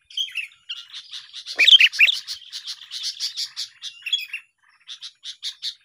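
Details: Sooty-headed bulbuls heard in a trapping lure session, several birds singing at once: a loud twisting whistled phrase rises out of a steady stream of quick, repeated chip notes, ending in spaced chirps.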